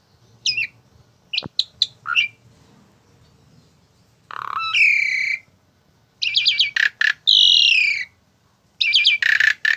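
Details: Varied vocalizing by a tame Asian pied starling: scattered clicks and short notes, then long harsh buzzy squawks and rapid stuttering chatter with descending whistles, repeated in several bursts.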